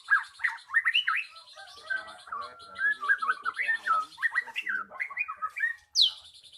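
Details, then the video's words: Captive magpie-robin pouring out a loud, varied lure song to stir a silent bird into singing: rich whistled notes sliding up and down, mixed with chattering bits and a sharp high squeak near the end. "Pancingan Burung Murai Macet Jadi Gacor"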